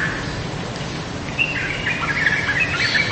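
Yellow-vented bulbul giving quick, bubbly chirps and short warbled notes in the second half, over a steady hiss of background noise.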